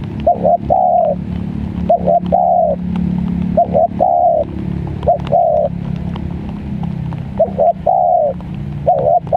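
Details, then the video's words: Spotted dove (tekukur) calling during the rainy season as a lure for catching wild doves: a short note followed by a longer level coo, repeated about every one and a half seconds, over a steady low engine-like rumble. "Mikat Tekukur Dimusim Hujan"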